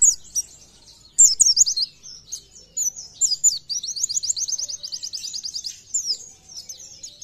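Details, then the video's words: Oriental white-eye (pleci) song: scattered high sweeping notes, then a long, even, rapid trill of repeated high chirps before trailing off. "PLECI GACOR NEMBAK"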